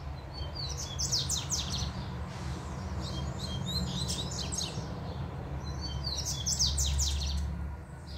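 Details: Double-collared seedeater performing a puxada-style song; two bursts of high, rapid, buzzy twittering strokes, one early and one near the end, over a steady low rumbling background noise.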